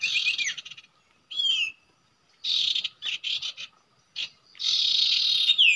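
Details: Common iora calling where it usually nests, at a trapping site: loud bursts of harsh, rasping chatter with quick downward-sliding whistled notes. The bursts are broken by short gaps, and a faint steady tone runs underneath.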